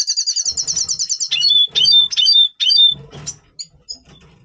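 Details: Red siskin, double pastel, singing in breeding mood before breeding, November 2023: a fast buzzy high trill breaks into loud, clear descending whistled notes, then fades into a few soft chirps.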